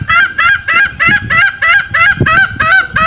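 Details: Green junglefowl lure call, used by trappers to draw wild males out for snaring in the forest; loud, nasal, honking notes with a rising-falling shape, repeated rapidly about three times a second in a steady series.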